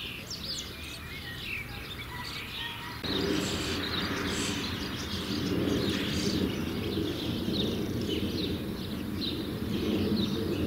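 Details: Several young common starlings (Sturnus vulgaris) about to leave the nest in a dense chorus of hoarse, rasping chatters; after a few seconds a louder broadband rustling noise joins and the calling grows busier.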